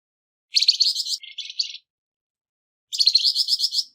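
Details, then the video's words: Harsh-voiced Flamboyan bird used to train other songbirds: a grating, pulsed high phrase broken into two parts, then a quiet gap and another rasping burst of quick notes. "Burung Flamboyan Suara kasar"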